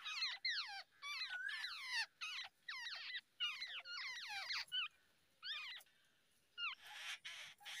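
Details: Wild babbler parent feeding its babies at the nest in Asia; clustered high squeaky chirps with bending, wavering notes, several birds calling together, then sparser calls and a short hiss-like burst near the end.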